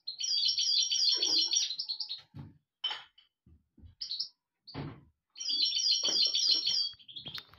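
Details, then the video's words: European goldfinch in full song, with long runs of fast, jangling, high-pitched twitters broken by a gap of scattered notes and knocking sounds before the lively trilling resumes. "تغريد الحسون"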